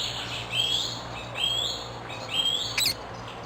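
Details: Wild rose-ringed parakeet in Amsterdam, the Netherlands; three shrill, rising screeches, each about half a second long and repeated roughly every second, followed by a short sharp squeak, with a faint low hum behind.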